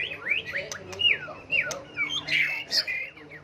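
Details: A white-rumped shama's changeable song for provoking song duels: a rapid series of downward-sliding whistled and rasping notes, harsh squawk-like phrases among them, against a faint low hum.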